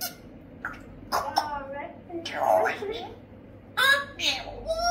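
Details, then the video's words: A pet parrot, described as cheeky, chatters in short, speech-like phrases with squawky, nasal syllables, scattered in bursts over a few seconds; indoor room tone in the background. "Mon perroquet L'INSOLENT"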